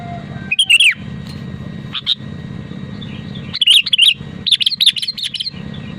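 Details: Persistently singing Sooty-headed bulbul, its genuine voice played to get other bulbuls singing: bright, chattering bursts of bubbly whistled notes, one early phrase then a rapid run of repeated phrases near the end, with a low steady hum beneath.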